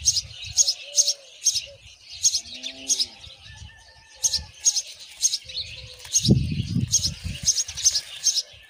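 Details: Myna feeding a spider to its chick. Thin, high chirps repeat in quick, evenly spaced bursts throughout, over soft lower whistled and cooing notes from another bird, low rustling and a brief thump near the end.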